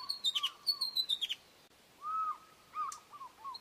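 Osprey giving a burst of sharp, high, descending whistled chirps in quick succession, then a pause and a few softer, lower slurred whistles.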